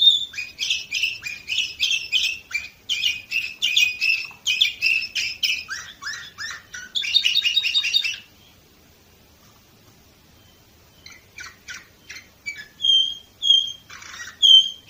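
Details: Orpheus canary, Varna, Bulgaria, 2018: a long rapid stream of chirped syllables with a rattling roll, several seconds of silence, then scattered chirps and loud pure whistles.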